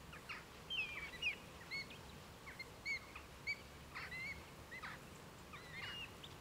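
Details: Red Kites in a gathering of over 100, East Northants, 23 November 2015; short whistled calls, some downslurred, mixed with brief chirps and clicks from other sources in a busy background.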